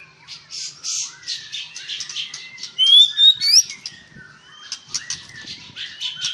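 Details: White-rumped shama at a breeding farm in Palembang, dense high chattering and buzzy notes with a thin rising whistle in the middle, possibly several birds together.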